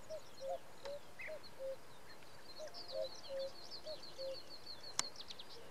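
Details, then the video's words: A trio of male common cuckoos sing in the evening in Samara Oblast, Russia, in June 2017. Low, hollow two-note calls repeat about every half second, under a thin, twittering song from another bird and a single sharp click. "Хор кукуев"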